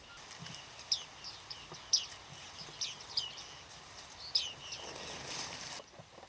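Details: Bearded reedling flock in autumn at Flamingo Lake, Shirvan National Park, Azerbaijan, 8 November 2013: short, high, pinging calls that bend downward, given singly at uneven intervals about a second apart over soft background hiss.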